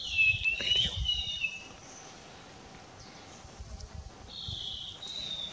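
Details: A foraging Streak-breasted scimitar babbler (Pomatorhinus ruficollis) gives clear, high, slurred whistles, a burst at the start and another near the end, over low background rumble.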